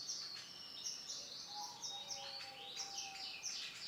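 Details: Orange-and-black male canary delivering a rapid stream of bright, high warbled notes and twittering trills, nearly continuous, with a soft lower whistle from another bird in the background.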